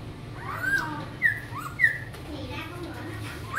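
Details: Caged Black-throated laughingthrush, a young Cao Bằng bird with its tail just coming in, sings a few sharp, slurred whistles spaced irregularly, set against background talk and low hum.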